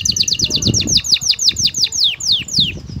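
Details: Excited male canary courting a female for mating; rapid series of descending sweeping notes repeated about three per second, slowing toward the end, over low background hum.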